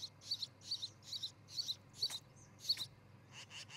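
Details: Osprey pair at their new nest near treetops in Charlo, Montana, on a nest camera, July 13, 2018, early morning: a steady series of thin, high chirps, one about every half second, fairly faint over a low background hum.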